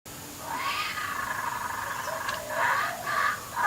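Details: A hungry baby laughing kookaburra sitting on a clothes hoist gives a drawn-out, gurgling, wavering call, then two shorter bubbling bursts close together near the end.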